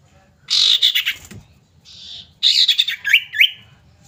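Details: Calling female common iora, a lure for males: a harsh, pulsing rattle, a short softer buzz, then another scratchy chatter ending in two sharp, slurred chips.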